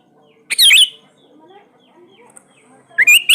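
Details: Sooty-headed bulbul giving loud, bubbly whistled phrases, one at the start and one at the end, with faint soft notes in the pause, used to spur silent birds into singing.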